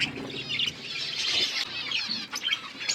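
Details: Steady high warbling twitter from a budgerigar flock at food, many overlapping voices forming a continuous chattering blur.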